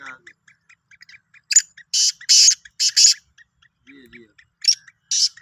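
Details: Sindhi black francolin: a clustered series of five coarse, buzzy bursts, then two further isolated rasps after a short gap, with faint ticks between.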